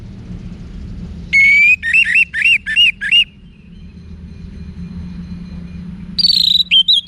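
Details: Orange-headed thrush (anis merah), caged bird in Singaraja, northern Bali; a loud rising whistle followed by five looping warbled notes, a pause, then a fresh run of high whistled phrases.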